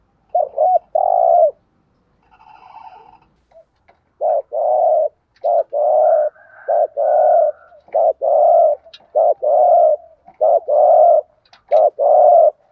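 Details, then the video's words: Decoy spotted dove for luring wild doves calls repeatedly, low mellow coo phrases of doubled wavering notes and longer hums, about a dozen in quick succession with faint clicks and a brief higher chirp early on. "chim cu gáy thúc gù/ chim cu gáy mồi có giọng bài bản/ cu đất thúc gù"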